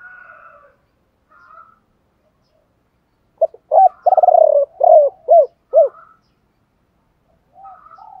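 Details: Spotted dove phrase used to rouse other doves into singing: after faint coos and silence, a burst of hollow coos, a rapid rolled coo and three arched notes, then quiet again.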